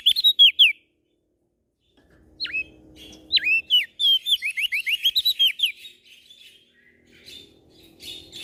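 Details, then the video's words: Prinia known as prenjak daun, from NTB, Lombok, vocal through morning, noon and night: short whistled phrases, then a rapid series of bright, slurred, rhythmic notes, some faint chirping and rustle afterward. "Prenjak Daun NTB Gacor PAgi SIang MAlam Tetap Rajin Bunyi"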